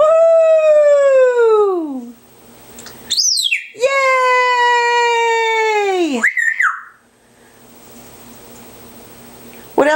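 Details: Nearly 18-year-old pet African grey parrot indoors, chatting with its owner and doing its long-practised monkey sound imitation: loud drawn-out wailing notes sliding downward, rich in overtones, broken by short sharp upward squeals, then quiet room hum.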